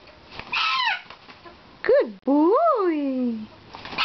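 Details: Pet bare-eyed cockatoo yelling during its morning routine of playing and flapping: a series of loud, harsh, arched squawks, each rising then falling in pitch, the last one longest and sliding down, with quiet room noise between.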